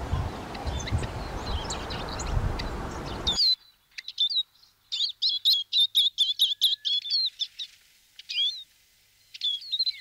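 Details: Eurasian siskin singing a fast twittering run of high chirps, a dense burst of rapidly repeated notes, then a few slurred whistles; noisy background at the start, later clean.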